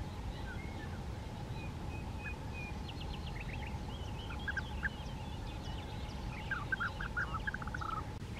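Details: European bee-eater on the bank of the Bečva river in the Czech Republic, visiting to swallow sand grains for its gizzard; short rolling, trilled notes repeat in loose bursts over steady river rush and a low constant hum.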